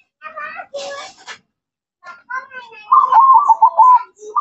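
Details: Zebra dove known locally as perkutut: human voices talking at first, then a low, hoarse cooing phrase of rapid choppy notes that ends in sustained coos.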